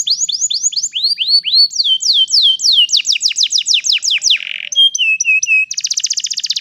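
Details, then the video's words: Long rolling canary song meant to train young canaries to sing, with quick series of descending whistled syllables changing type every second or so, a buzzy burst, clipped whistles and a fast dense trill at the end. "GAcoR NgerollL Panjang, Pancingan untuk kenari Paud Belajar bunyi"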